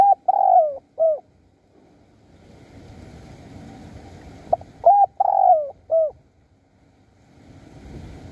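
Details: Wild doves lured with a spotted dove in Surat Thani, Thailand, a wild bird calling its mate: two loud, hollow cooing phrases with a drawn-out, wavering central coo, separated by quiet low rumbling.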